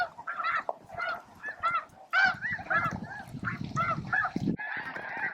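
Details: Snow geese in a huge midday flock at Bosque del Apache, feeding and jostling for a spot; loud, nasal honks come in bursts, several birds calling over one another with short gaps between.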